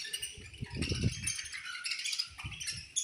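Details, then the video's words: Budgerigar colony at feeding time, many birds chattering at once in a dense, high, scratchy chirping wash, with soft low thumps and knocks loudest near the first second. "Chirping Sounds In Budgies Colony"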